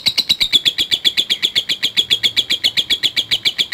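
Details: Ngekek chatter of a lovebird, typewriter-like ngetik delivery meant to provoke fighting lovebirds: a rhythmic, evenly spaced string of shrill buzzy notes, about seven each second, with no pauses.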